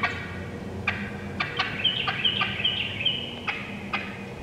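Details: Wild turkey hens in the woods: abrupt cutting clucks interrupted by a quick, squeaky, high run of yelps, then a few more spaced sharp clucks, natural calls only.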